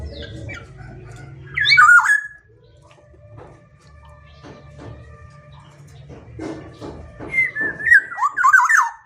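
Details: Black-naped oriole singing: a short burst of liquid, fluty whistled notes that twist up and down, a quiet pause with faint low hum, then a second rich, warbled phrase near the end.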